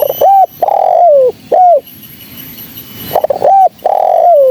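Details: Female spotted dove lure call for trapping birds, described as clean and carrying far: two loud phrases, each a few quick clipped coos followed by a long mellow coo that slides downward, with a soft hiss between.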